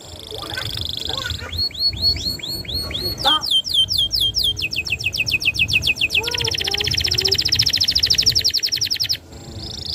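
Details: A canary in strong song with long 'nembak panjang' bursts, used to tutor young canaries: buzzy notes, then rapid hooked whistles and falling clicks, building into an extended rattling trill before a brief pause.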